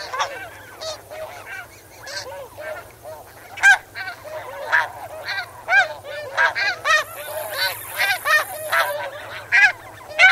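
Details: Snow geese calling from a flock as they swim and wade in water, recorded close: a dense run of sharp, nasal, barking honks, several per second, overlapping, with a faint high insect buzz in places and a low hum.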